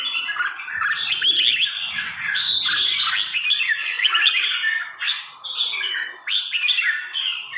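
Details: Three-season trà my red-whiskered bulbul delivering a long, rapid chattering warble of bright whistled and twittering notes with brief pauses between bursts, with faint low rumbling in the background.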